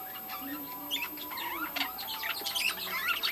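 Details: Continuous budgerigar chatter from a breeding colony, many birds warbling at once in a steady stream of twittering, chirping and zigzag squeaky notes without pause.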